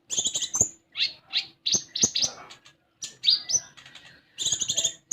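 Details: Common iora song meant to coax an untrained konin into singing: rapid bursts of high chirps, rattling notes and squeaky phrases, each burst lasting about a second, separated by short pauses.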